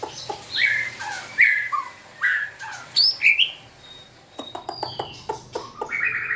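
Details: White-rumped shama, 2024, singing as it dances and wags its tail: short, punchy whistles and chirps spaced about a second apart, then a stretch of dry clicks and a final buzzy phrase.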